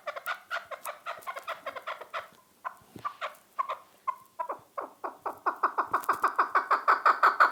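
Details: Chukar partridge in full call: rapid, rhythmic clucking notes, a brief pause midway, then an accelerating, increasingly loud series of evenly repeated harsh chuk notes.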